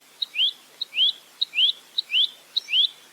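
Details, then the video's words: Velvet-fronted nuthatch (rambatan mandarin) in a clear training recording for cagebirds in 'roll tembak' style: a short high tick followed by a rising slurred whistle, the pair repeated about every 0.6 seconds. "Masteran Burung Rambatan Mandarin Jernih Full Roll Tembak"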